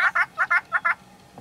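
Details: Red-billed hornbills calling in Kruger National Park: three quick pairs of hoarse clucking notes, each pair a rapid double 'kok-kok', followed by a faint trailing note.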